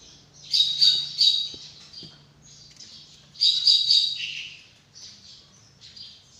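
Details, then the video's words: Drongo (srigunting) singing actively with a sharp voice for training other songbirds: two dense bursts of rapid, scratchy, high chattering notes mixed with brief whistles, followed by quieter trailing twitters. "BURUNG SRIGUNTING GACOR"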